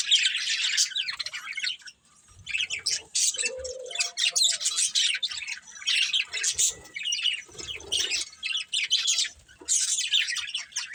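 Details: Budgerigar breeding pair chattering almost nonstop: dense, scratchy warbles and rapid chirps, high and bright, in bursts over eleven seconds with a brief pause near two seconds and a few soft low thumps.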